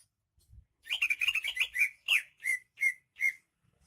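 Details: Greater green leafbird, native to Banyuwangi: a quick chattering warble of rapid notes leading into a few slower, loud, clear whistles spaced evenly apart.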